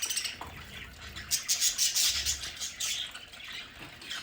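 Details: Pet budgerigars at home chatter in rapid high chirps and squeaky warbles, loudest in a dense flurry midway, set against a soft rustle and low background rumble.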